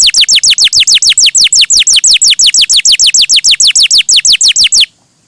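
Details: Lively, melodious canary song: a steady rapid run of sharply downslurred whistled notes, roughly five per second, held for about five seconds before stopping abruptly.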